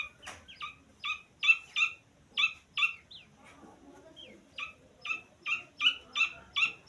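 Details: Grey francolin chick giving clear, high, slightly descending peeping chirps in quick series, about three per second, with a short pause mid-clip before the peeps resume; quiet background.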